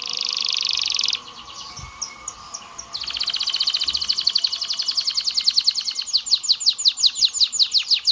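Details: Singing canary, an aroused bird stimulating males and females to mate. A buzzy sustained trill breaks off, soft notes follow, and then a long accelerating roll of sharp repeated chips grows louder. Light background noise throughout.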